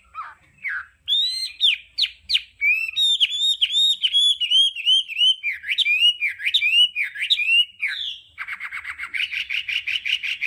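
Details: Hwamei 'đảo âm' song used for voice training: a long sequence of loud whistled notes, arched and looping, quick and varied, ending in a rapid buzzy trill.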